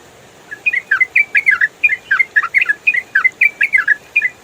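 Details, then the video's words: Yellow-vented bulbul in rapid-fire 'ropel' style, made as clear training audio for songbirds: quick run of short whistled notes, some rising and some falling, packed closely for about four seconds over faint steady hiss. "MASTERAN TRUCUKAN ROPEL FULL SUARA JERNIH"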